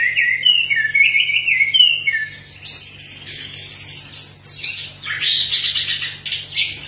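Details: Orange-headed thrush singing loudly and continuously, its song used to prompt other birds to sing: clear whistled phrases sliding down, then a rich jumble of varied, rapid, high notes and mimicked-sounding chatter.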